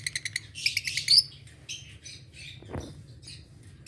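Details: Adult green Fischer's lovebirds chirping in the morning: rapid, high, scratchy bursts, a quick run of sharp notes followed by scattered squeaky calls, with a low hum and a brief thud.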